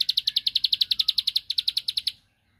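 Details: Ciblek sawah, the bar-winged prinia, in a song aimed at provoking a rival: a two-second burst of about twenty quick, evenly spaced shrill notes that stops abruptly.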